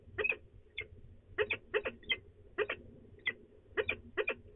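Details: Female peregrine falcon at De Mortel in the Netherlands, 24 March 2020, grumbling prior to leaving; grating notes mostly in pairs and triplets, grouped in uneven bursts over four and a half seconds, soft low hum present.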